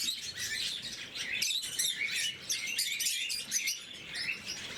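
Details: Blue-mutation lovebirds at their morning feed chatter continuously, with shrill, sharp chirps and short squeaks piling over one another with no clear pauses.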